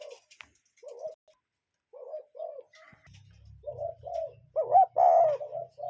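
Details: Wild cuckoo in nature repeating soft, hooting two-note calls in steady pairs, louder toward the end, over a low continuous hum.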